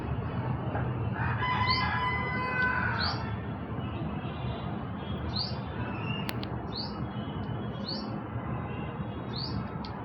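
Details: A black hummingbird gives what is described as a mating call: brief, thin, very high chips, one every second or so, over a steady low background rumble, with a short harsher call early on.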